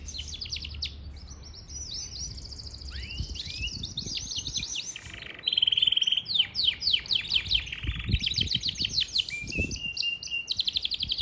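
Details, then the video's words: Parachinar Yorkshire canary delivering continuous powerful song: dense rapid trills of high notes, a sustained buzzy tone near the middle, then fast rhythmic bursts of chirps to the end. "Yarkshiere Canary Singing |Most Powerful Yarkshiere Canary Singing Bird"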